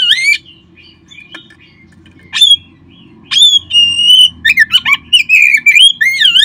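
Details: Oriental magpie-robin singing, used to prompt caged birds to sing: a few sharp notes, a long clear whistle, then a rapid series of varied warbled and sliding whistles; low background hum.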